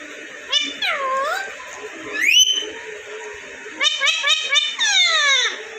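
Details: Pet ringneck parrot kept indoors in Vehari, Punjab, Pakistan: harmonic squawks with a swooping dip, a rising whistle, then rapid bursts of stacked, chattering notes and a long descending harmonic call, over faint background hiss.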